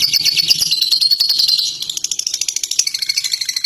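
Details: Fighter lovebird in ngekek song: a shrill, fast chattering trill that breaks after a second and a half into separate clipped pulses repeated about three times a second.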